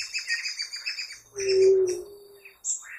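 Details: Ruddy quail-dove (pariri) uttering one long, low, level coo of about a second, preceded and followed by rapid high chirping of other small birds in the background.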